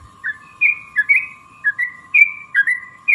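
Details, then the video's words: Yellow-vented bulbul giving clear, liquid, down-slurred and up-slurred whistled notes in pairs, meant to stir other bulbuls into answering, over a steady low hum. "trucukan gacor TARUNG ROPEL PANJANG pancingan trucukan agar bunyi jadikan burung trucuk NYAUT gacor"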